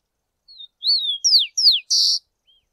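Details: Rufous-collared sparrow song: a soft high whistle, then three clear slurred whistles sliding downward, closed by a short dense buzzy trill; quiet background, no other sounds.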